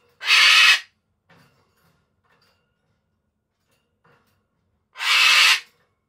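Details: Solomons cockatoo kept as a pet, screeching for its owner out of affection. Two raucous, grating shrieks come roughly five seconds apart with near silence between them.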